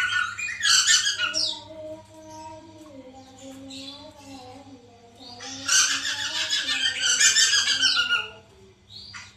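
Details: White-crested laughingthrush lure recording meant to make a captive bird sing along: raucous, scratchy chatter at the start and a long loud burst in the middle, over a low wavering tonal sound and constant hum.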